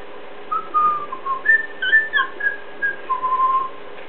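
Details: Caged cockatiel copying its companion bird: a run of varied whistles, short slurred notes climbing and dipping, ending on a long steady whistle, over a low indoor hum.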